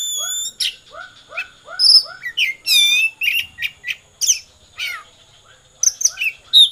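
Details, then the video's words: Oriental magpie-robin in konslet song: varied high whistles, stacked chattering notes and short trills, over a steady background of soft, low, downslurred notes repeated about twice a second. "kacer konslet"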